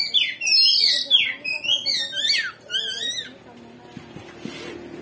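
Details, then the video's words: Oriental magpie-robin lure song intended to anger a rival magpie-robin into answering. A busy run of bright, swooping whistles and trills fills the first three seconds, then fades into quiet with faint background sounds. "Pancingan Kacer Gacor Ngeplong Bongkar Isian"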